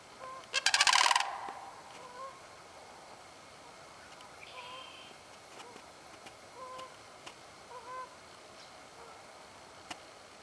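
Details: A sandhill crane, recorded 30 March 2015, opens with one loud rattling, trumpeting call near the start, followed by long quiet stretches holding only faint, scattered distant notes.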